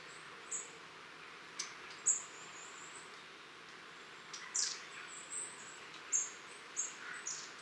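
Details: Long-tailed tits in a garden flock, recorded 23 October 2015, giving repeated high-pitched thin see notes and brief sibilant trills at irregular intervals, the calls clustering more densely toward the end, over quiet background hiss.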